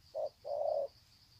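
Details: Spotted dove greeting call at Sê San, Vietnam, 21/2/2020: one soft short coo followed by a longer level coo, with a faint high insect hum.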